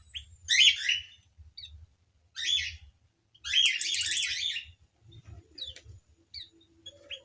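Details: Aviary-kept white-crowned forktail giving loud, high, jumbled chattering phrases, three main bursts with the longest lasting about a second, then scattered thin chips and a low hum.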